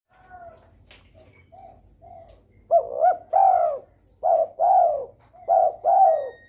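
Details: Spotted dove in breeding mood, calling busily to stir rivals into calling: faint low coos at first, then three loud phrases, each a short rising double note followed by a longer, falling, hoarse coo.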